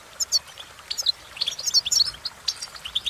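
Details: Short burst of European goldfinch song: bright, squeaky high notes and quick twittering trills, with a few louder sharp chirps.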